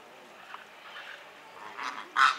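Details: Greater flamingo kept at Opole Zoo: a few faint nasal notes build to two loud, goose-like honks near the end, the last the strongest and harshest, with a quiet background.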